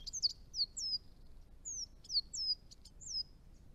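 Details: Chestnut-rumped Thornbill in northern Victoria, Australia, at garden ponds near the edge of its range: sharp, very high downslurred whistled notes given singly and in pairs, with short ticks between, against a quiet background.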